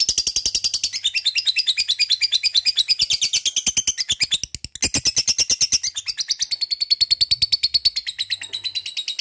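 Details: Long ngekek chatter from a lovebird: high, gritty notes pour out nonstop for over nine seconds at about three per second, with a brief dip in the middle before the rapid harsh rhythm resumes as strong as before.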